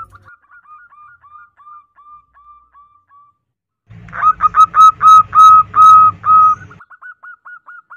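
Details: Female zebra dove calling the male: soft, quick whistled coos at first, then a loud burst of ringing drawn-out coos with strong overtones, ending in faint short notes again, over a low rumble.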